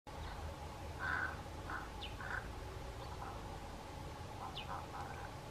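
Pied crow giving short, harsh, throaty croaks in two loose bursts. Thin descending whistles and a steady low hum sound behind it.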